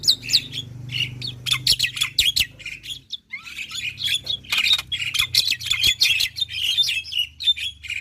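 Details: Energetic black-winged myna song used to get reluctant mynas singing: dense, scratchy chatter with squawks and short whistles running almost continuously, with only a brief break midway.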